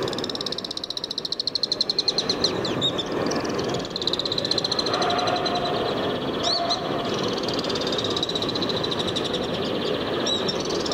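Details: Alpine Swifts in Hérault, France, in July 2022, give long, fast twittering trills, high and rapidly pulsed, rising and falling over several seconds, against a steady background rush like wind.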